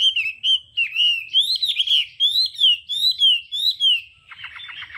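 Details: Hwamei singing đảo âm style for voice training: loud, ringing, rolling whistles in a regular series, ending with a short rapid burst of harsher chattering notes.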